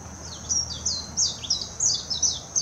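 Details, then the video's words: Warbling white-eye song from Hashimoto City, Wakayama, Japan, 26 June 2021, Nikon Coolpix P900: rapid bursts of high, sweet, down-slurred twittering notes in short phrases, with a constant high-pitched buzzing drone behind. "メジロ さえずり 姿 鳴き声 warbling white-eye song"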